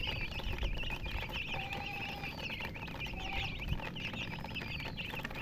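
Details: Chickens (murgi hens) giving rapid, high chirps in a busy overlapping chorus, with a few longer, thin rising-falling peeps laid over it and soft background rumble.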